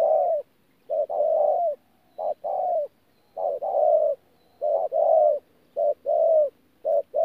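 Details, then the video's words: Spotted dove recorded at Tu Mơ Rông on 14 January 2019, a wild-caught bird calling in rapid succession: short hoots leading into longer falling coos, closely spaced phrases over seven seconds, with a faint background hum. "BỔI THỔ PHA GÙ QUÁ TỐT"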